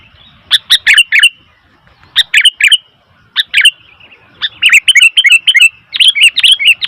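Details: Noisy calling of a Sooty-headed bulbul: sharp, scratchy chirps in short groups, building into a long, rapid stream of bubbly, warbled notes toward the end.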